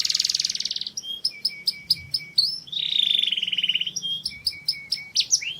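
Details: Mushti canary singing to rouse hens: a buzzy rolled phrase, then evenly spaced clipped chips, a second buzzy roll, and more staccato notes.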